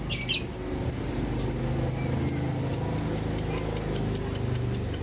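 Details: Lovebird calls used to provoke other lovebirds into calling: an opening harsh burst, then steady high chirps quickening to about four per second, over a low room hum.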